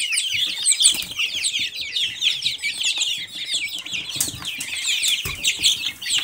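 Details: Silkie chicks peeping in chorus for several seconds, steady thin descending notes densely packed, with occasional clicks and a sharp knock near the end.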